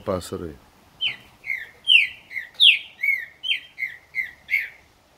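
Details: Green-winged saltator, a strong singer, giving a loud run of about eleven clear whistled notes, each sliding downward, delivered at an even pace of roughly two per second after a brief low thump at the start.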